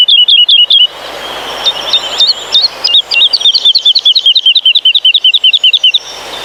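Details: A woodlark in a Polish pine forest sings a soft, fluty cascade of repeated liquid 'lulu' notes, a long run of phrases that slowly descends, with no other clear sounds.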